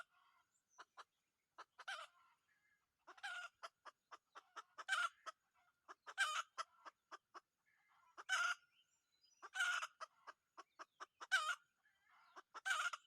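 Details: Captured wild red junglefowl cock used as a decoy for hunting wild junglefowl, uttering frequent short raspy bursts roughly every one to two seconds, interspersed with dense sharp clicks.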